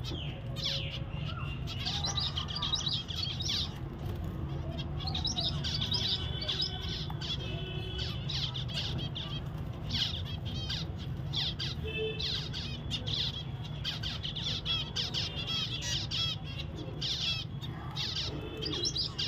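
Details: Pet zebra finches calling in a busy chorus of short nasal chirps and trills, with soft wing flutters and a steady low background hum.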